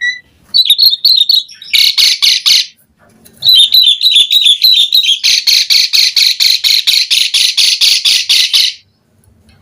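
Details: Asian pied starling singing on a lure recording to make other starlings answer: warbled chirping phrases alternating with long runs of rapid, evenly spaced raspy squawks, roughly three per second.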